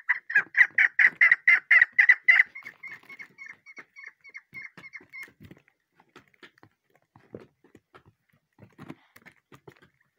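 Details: Chukar partridge chick uttering a loud burst of rapid clucking notes for two seconds, then a thin continuous whistle with faint ticking notes that fade away, followed by scattered quiet clicks and rustles.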